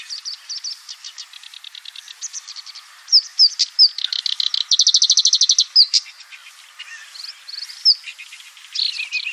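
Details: Black-browed reed warbler in full song: scratchy high chatter with sharp upslurred whistles, then a dense, even rattle of rapid notes near the middle and more varied squeaky phrases afterward.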